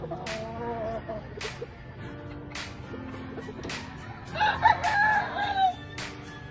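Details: Grey Kelso Albany rooster from a breeding farm crows once, late in the recording, a strained harmonic call with a falling end, over quieter background music and repeated sharp clicks.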